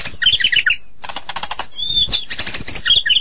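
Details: White-rumped shama song: quick bursts of varied chirpy whistles and trills, then a run of dry, evenly spaced broadband rattling pulses, followed by more sweeping whistled phrases and rapid twittering notes.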